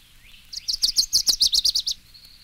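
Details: Dickcissel (Spiza americana) song: a quick, high run of about a dozen sharp, dry chips that stutter along for little more than a second, then stop abruptly.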